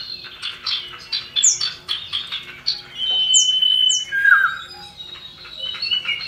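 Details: Common iora (cipoh) pair, male and female, with a female calling males, used to lure birds into song. Rapid chatter, high falling slurs, a long level whistle and a lower swooping note.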